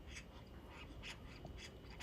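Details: Oriental magpie calling alone on a mountain hiking trail on Gwanaksan, South Korea, perched about two to three metres ahead of a hiker; a rapid series of short, harsh, rasping chatter notes repeated several times, with low wind and handling noise beneath.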